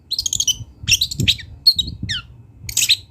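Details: Wild long-tailed shrike singing with mimicked fill-ins: high chattering trills, a quick downslurred whistle and rasping notes, with thumping low background noise throughout.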